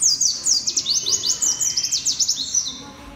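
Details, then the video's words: Loud white-eye (pleci) song: a dense, continuous run of very high, thin twittering notes that sweep up and down rapidly, with no pauses for about three seconds. "SUARA BURUNG PLECI VOLUME KERASSSS"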